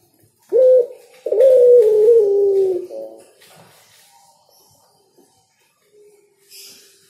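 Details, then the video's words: Spotted dove song: a brief low coo, then a longer sliding coo that drops slightly in pitch and ends in a short note, followed by near silence. "Suara Burung Derkuku Yang Enak Dan Nyaman didengar Burung Tekukur Bernyanyi"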